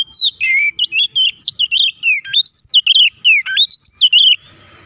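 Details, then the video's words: Fast, emotional white-rumped shama fighting song used to rile rival shamas: dense string of rich whistles and quick upward and downward slurs, notes packed closely for about four seconds, then stopping abruptly into quiet. "KACER GACOR NGEPLONG TARUNG KONSLET❗PALING AMPUH BUAT PANCINGAN KACER AGAR EMOSI!"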